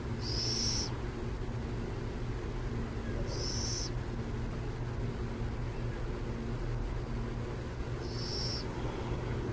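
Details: Burrowing owl near San Jose giving three short rasping, high screeches spaced several seconds apart, over a persistent low rumble.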